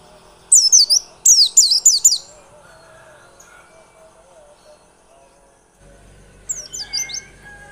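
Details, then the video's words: White-eye singing as a lure for other birds. Two short bursts of high, twisting, downslurred notes, a long quiet stretch with faint low tones, then a brief final phrase. "Pancingan pleci biar gacor dan ngotot."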